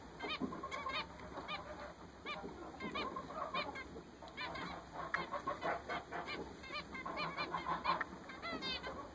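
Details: Several newly bought zebra finches calling busily, brief buzzy nasal beeps in quick clusters, bursts growing denser toward the end, with faint background hiss.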